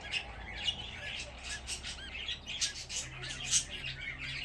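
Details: Chattering group of fifteen budgerigar chicks: rapid high squeaky chirps and buzzy bursts, with some soft human speech nearby.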